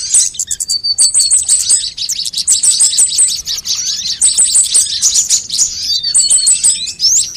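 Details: Various sunbirds in a lure track made to draw birds and make them call: bursts of very high, thin tweets and fast stuttering trills repeated in clusters about every second, several voices overlapping.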